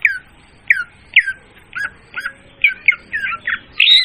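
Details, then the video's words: Leafbird lure sound: a series of about ten sharp, squawky, downslurred notes spaced roughly half a second apart, with a louder harsh final note and a quiet, slightly roomy background. "suara pemikat burung murai daun||suara jernih dan volume keras."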